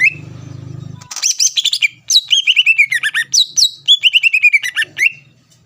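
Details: A low hum opens, then a greater green leafbird bursts into song intended to provoke rivals: rapid high chirps and a run of descending whistled notes, fast and varied.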